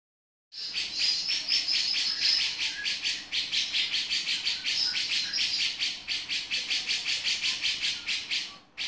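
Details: Male grey-cheeked bulbul giving its 'beset' call: a fast, steady series of harsh, buzzy chattering notes, about two to three per second, sustained for the whole stretch after a short silent start.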